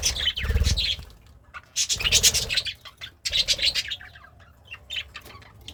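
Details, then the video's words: Happy pet budgerigar eating greens, giving three loud bursts of harsh, buzzy chattering warble separated by pauses, with a few softer chirps and low thuds between. "The Sounds of a Happy Budgie - Chirping, Singing, and Eating Greens"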